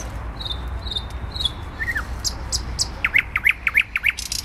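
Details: Thrush nightingale singing in central Warsaw, Poland, on 12 May 2020: three thin high whistles, a slurred downward note, then a fast series of repeated sharp notes mixed with dry clicks, over a steady low city rumble.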